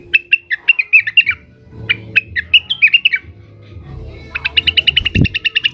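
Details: Leafbird (cucak wilis), agitated and calling at rivals: twittering warbled phrases in two bursts, then a quick string of bright repeated chips, with a brief low knock.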